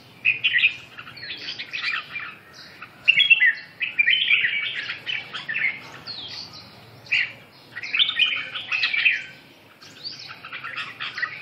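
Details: A red-whiskered bulbul delivers bursts of lively, slurred warbling, several notes packed into each phrase, separated by brief quiet spells, against a faint background murmur.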